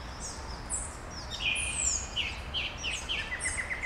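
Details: Dawn birdsong in Brasília, Brazil: many small birds calling together, with high thin whistles, downslurred chirps and a quick run of repeated notes at the end, over a constant low hiss.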